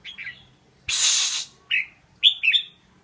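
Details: Red-whiskered bulbul giving short slurred, chirpy notes, then a loud rushing noise burst lasting about half a second, followed by a lone note and a rapid two-part warbled phrase.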